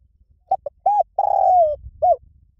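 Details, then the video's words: One full lio tan phrase from a spotted dove, played to train birds to coo back: two clipped notes, a round mellow coo, a long sliding note falling in pitch, and a final short coo. Faint low noise sits underneath. "สำหรับเปิดล่อนกเขาใหญ่ฝึกต่อ ให้ขันโต้ตามเสียงนกเขาใหญ่หลิ่วตัน"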